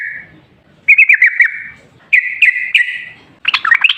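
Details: Sooty-headed bulbul song used as a lure to prompt other bulbuls to sing: bursts of bubbly, warbled whistled notes in three phrases separated by short pauses, ending in a busier, harsher flourish.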